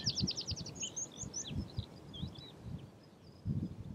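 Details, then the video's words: Meadow pipit (Anthus p. pratensis) in Uitkerkse Polder, Belgium, in April 2019, gives a quick run of about eight thin, high, falling notes, then scattered squeaky chirps, over low rumbling wind and handling thumps. "Pipit farlouse (Anthus p. pratensis) Meadow Pipit"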